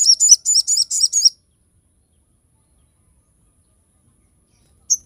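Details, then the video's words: Crested jay in full song, a recording used to train and lure other birds. It gives a quick burst of five sharp, high, chirping notes in under two seconds, then a long silence and one last short high note. "SOGOK ONTONG GACOR FULL TEMBAKAN TAJAM"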